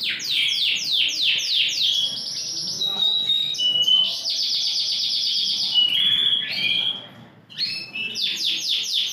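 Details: Big-size Yorkshire canary singing steadily: fast series of repeated sweeping high notes, level buzzy tones and short trills run together in a continuous loud phrase.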